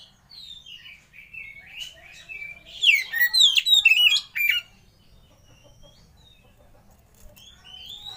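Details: Oriental magpie-robin lure song meant to get other birds singing: soft sliding whistles build into a loud burst of rapid, varied chirps and sweeping notes, then quieter fragments and a rising whistle at the end.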